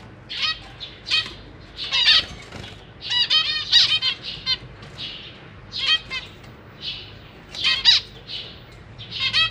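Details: Zebra finch family in a cage, May 2023, young being fed by the parents: repeated clusters of rough, buzzy, pulsed calls every second or two, some calls overlapping.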